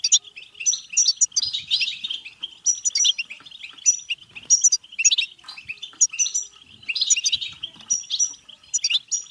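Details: European goldfinch song, used to stimulate goldfinches to sing and mate: rapid, continuous twittering of bright chirps, buzzy trills and tinkling notes, with fast repeated phrases and no pauses.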